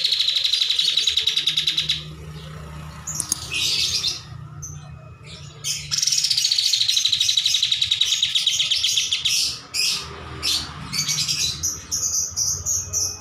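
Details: Long master recording of a kapas tembak bulbul: repeated bouts of fast rattling trills, scratchy bursts between them, and short high whistled notes near the end.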